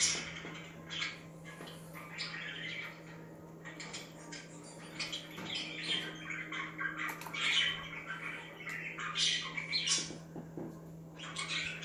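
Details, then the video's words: Pet budgerigars chirping indoors to make other budgies active: scattered quick, scratchy high chirps and twitters, irregular and overlapping, with a steady low electrical hum underneath. "Budgies Chirping Sound That Make Other Birds To Be Active"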